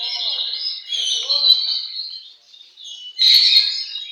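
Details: At a bird song contest, an Oriental magpie-robin delivers high, sweeping whistled phrases that fade into a short pause, then bursts back loudly with sharp, bright notes; soft lower murmuring sounds underneath.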